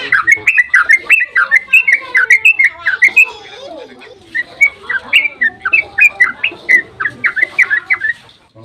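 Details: Long dawn ropel song of yellow-vented bulbul, meant to provoke others into singing; steady stream of quick liquid chirps, about three per second, brief softer lull near the middle, then resuming just as fast.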